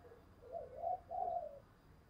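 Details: Decoy spotted dove giving a lure call of the thúc bổi style to attract wild doves: a soft, distant low coo in two drawn-out notes over faint background hiss.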